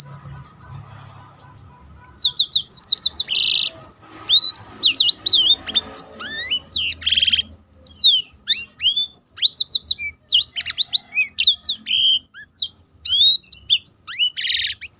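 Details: Black-throated canary singing as a master bird to prompt and train other birds, bursts of rapid high swooping whistles and trills beginning after two quiet seconds and running almost without break, with a faint low hum beneath.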